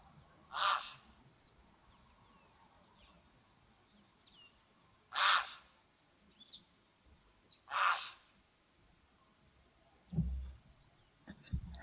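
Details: A Grey Heron gives three loud, harsh, rasping squawks spaced several seconds apart, an unusual sound thought to be an alarm call because a Martial Eagle is perched in a nearby tree; low thuds and faint background noise near the end.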